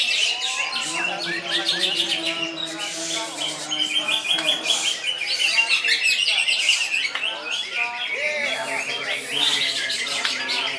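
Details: Greater green leafbird (cucak ijo) in loud koncer song: rapid, varied high whistles and chattering trills pour out nonstop, with lower, faint tonal sounds in the background early on.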